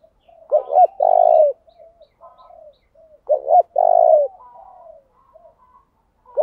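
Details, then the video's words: Ground-type spotted dove decoy, calling to provoke a singing duel and lure rivals in: two phrases about three seconds apart, each two short bent coos and a long low coo, soft cooing between, a third phrase beginning. "Tiếng chim cu gáy mồi thúc đấu giọng hay, tiếng chim cu gáy thúc bổi nhanh về cội, chim cu gáy đất"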